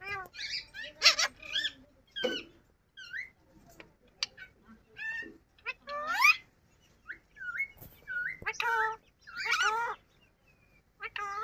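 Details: Pet yellow ring-necked parakeet speaking different words: scattered whistled, harmonic bursts and speech-like squawks with rising and falling slides, separated by short pauses.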